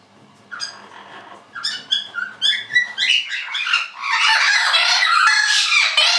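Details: Two orange-winged amazons in spring, sometimes noisy, give loud, harsh squawks and rapid, repeated nasal calls that build into a continuous raucous chorus.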